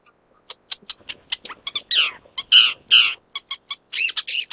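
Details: An Isabelline shrike in Jiangjun District, Tainan, Taiwan, on 25 December 2023, the first record for Taiwan's main island, gives a run of sharp ticks mixed with harsh, rasping squawks at an irregular, high, scratchy pace.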